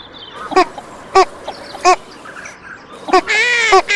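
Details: Female Northern Shoveler calling with three short, evenly spaced nasal quacks, then a brief quack and a longer, drawn-out buzzy honking note near the end.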